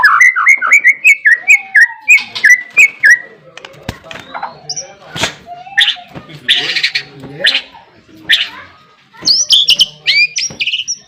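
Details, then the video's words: White-rumped shama of the Barbara line, a kept songbird in lively voice, opening with a fast run of looping whistles, then scratchy chattering and harsh noisy bursts, closing with high bright slurred notes. "SUARA MURAI BATU BARBARA GACOR BOLO."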